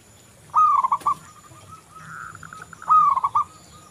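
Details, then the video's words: Energetic local zebra dove cooing, used as a lure for other doves: two loud trilled coo phrases about two and a half seconds apart, with a quieter drawn-out coo series between them. "Perkutut lokal Gacor Anti Galau"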